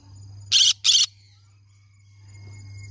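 A green-cheeked conure gives two quick, harsh, raspy screeches about a third of a second apart, over a faint steady indoor hum.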